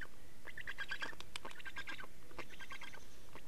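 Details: Nest change and feeding at an Estonian black stork nest, 24 May 2019, 15:15. Dense rasping squeals and clicks form two long ragged bursts that stutter and overlap.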